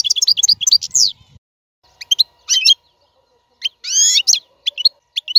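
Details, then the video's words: European goldfinch song meant for teaching caged young birds: bursts of high twittering and buzzy trilled notes separated by short silences, ending in scattered sharp chirps. "اقوى تغريد الحسون. لتعليم فراخ القفص"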